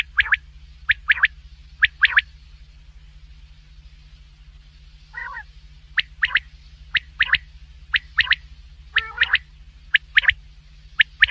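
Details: Common quail calling at night: sharp three-note 'wet-my-lips' phrases, mostly in pairs, repeated about every second, with a soft purring growl midway, over a steady low hum.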